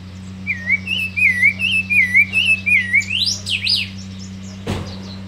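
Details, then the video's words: Hand-raised young thrush singing while held in the hand: a run of wavering, warbled whistles around one pitch, about eight quick notes, ending in higher rising sweeps and a sharp click, over a steady low hum. "Zorzal pichon criado ah pico cantando en mano"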